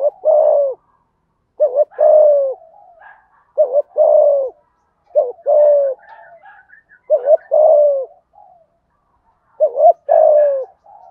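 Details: Spotted dove calling in the thúc gù style with a deep thổ voice, used to rouse decoy birds. Six two-part coos about every two seconds, each a short warble then a drawn-out descending note.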